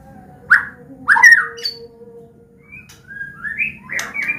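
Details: White-rumped shama, Medan type, giving a combination song to coax young birds into singing: a few loud rich whistled notes, then softer rising and falling whistles, over a low background hum.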